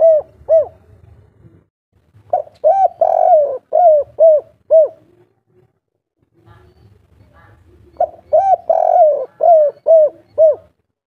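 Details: Spotted dove, local wild-type 'kuk 3' singing style, calling to a female: two bursts of mellow, hollow coos, each a quick run of about six rising-and-falling notes, separated by a few seconds of quiet with faint low background hum.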